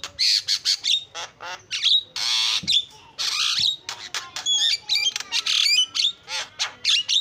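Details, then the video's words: Javan myna song with loud rasping squawks, long hoarse buzzes and clipped whistled slurs, delivered in dense, almost unbroken sequences. "JALAK KEBO SUPER GACOR SUARA ISIAN"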